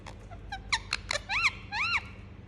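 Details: Pet Indian ringneck parakeet chirping: short sharp squeaks, then two loud rising-and-falling whistled notes near the end.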